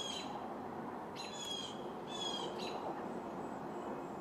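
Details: Black-capped chickadee nestlings calling from inside a birdhouse as a parent arrives at the nest with a fat caterpillar. Thin, high chirps come in four short bursts over a steady background hiss.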